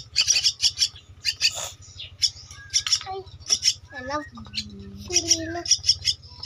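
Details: Begging two-week-old Javan myna chick being fed gives scratchy hissing bursts in quick series, while a human voice talks in the background.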